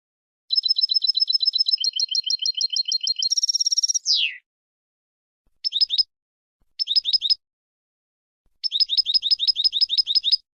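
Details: European goldfinches chattering together, a sound used to excite and encourage goldfinches to sing: rapid high tinkling note series, a buzzy falling phrase, then short bursts of quick twitters separated by silences.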